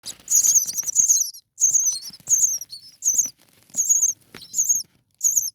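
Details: Six common starling nestlings, four days old, huddled together in the nest on a cool night, give thin, very high wavering squeaks in bursts of about half a second, repeated roughly every second, with soft rustling between.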